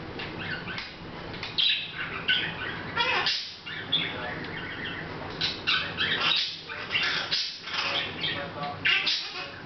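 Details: Hahn's macaw at home on August 10th 2012, chatting without noticing the camera: varied harsh, talk-like syllables and sharp squawks strung together in irregular phrases, a low hum underneath.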